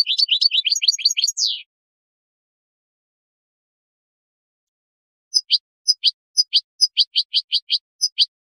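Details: European goldfinch song for teaching young birds: a rapid run of high twittering notes for about 1.5 seconds, a long silence, then a slower series of sharp descending chips repeated roughly every third of a second. No other sounds.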